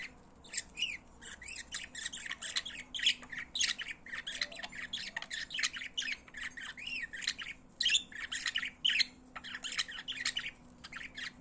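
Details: Pet budgerigars singing: continuous busy chatter of buzzy squawks, chirps and clicks, delivered in rapid overlapping bursts throughout, with a faint low hum behind.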